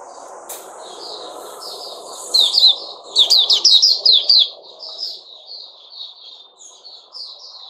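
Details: Caged sooty-headed bulbul singing a stream of soft twittering notes that swell into a loud cluster of rapid, jerky, slurred chirps before fading back to quieter warbling, with steady background hum.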